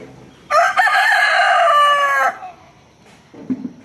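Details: A rooster crows once: a loud, harmonically rich call held steady for nearly two seconds, with a brief hitch near its start, followed by faint low clucking.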